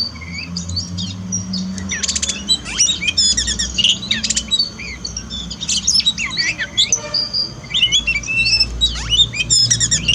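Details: Caged Oriental magpie-robin song used as therapy for a bird that sings little after moulting: dense, varied high whistles, sweeping slurs and scratchy chattering bursts, near-continuous, over a low background hum.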